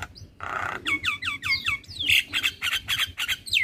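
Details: Male Javan myna, very vocal, nodding its head while singing. A harsh rasp leads into six paired, clear descending whistles, followed by a quick chain of scratchy, chattering notes and a final falling whistle, with a faint low hum.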